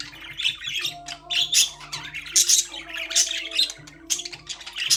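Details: Several budgerigars in a cage keep up continuous chatter of scratchy, twittering chirps and squawks in quick pulses, with a faint musical tune playing low behind them.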